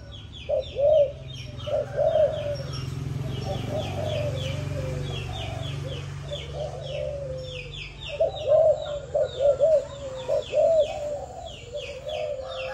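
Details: A seven-month-old young Malaysian spotted dove (Spilopelia chinensis) gives soft, low, hoarse cooing phrases in bursts with pauses, over high thin chirps from small birds and a steady low hum.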